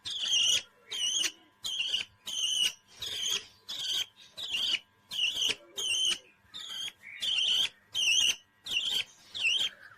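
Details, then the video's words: Tame parrot singing a long run of repeated harsh, whistled notes, about fifteen in ten seconds, each with a slight wavering pitch and strong overtones, steady and rhythmic. "Best Parrot Singing on the Internet"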